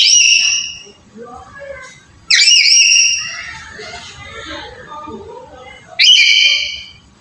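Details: Black-capped lory, played to prompt a quiet bird into calling: three loud, harsh, harmonic screeches spaced several seconds apart, with softer chattering and squeaky notes between them.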